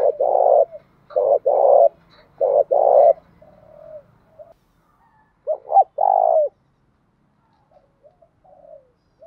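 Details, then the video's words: Big spotted dove in the 'thổ' voice, calling to provoke fighting: a rapid series of short and long purring coos, then after a gap one phrase of two hooked coos and a long coo, trailing into faint murmurs. "Chim cu gáy cườm to như bồ câu thúc đấu cực chất như nước cất"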